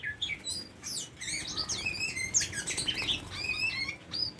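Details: Tame Oriental magpie-robin pouring out a continuous warble of slurred whistles and chirps, notes rising and falling rapidly, some level sustained whistles woven through the busy phrases.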